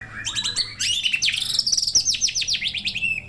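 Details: White-rumped shama, a kept songbird: a rich, fast song of whistled notes and sweeping slurs rising to high trills, dense and varied, over a low background hum.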